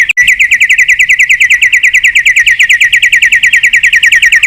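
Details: White-rumped shama calling a rival, used as a lure: an even, rapid rattling trill of repeated short notes, roughly six per second, held steady at one pitch throughout.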